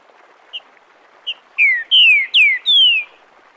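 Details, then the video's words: Green-winged saltator in the "Bom dia seu Chico liso" song dialect, used for tutoring nestlings, recorded live: two brief introductory notes, then four loud clear whistles, each falling in pitch, delivered in quick succession. "Trinca ferro canto Bom dia seu Chico liso para ensinamento de filhotes"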